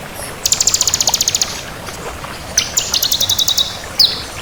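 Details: Bar-winged prinia of the crystal colour form in lively song, two clear runs of rapid high ticking notes, each about a second long, followed by a sharp squeaky note, over a quiet background.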